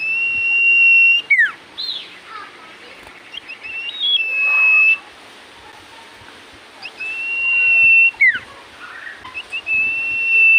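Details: Full-voiced common iora song, said to set other ioras replying: repeated long flat whistles ending in sharp down-slurs, with brief rising chirps between, over a steady hiss of background noise.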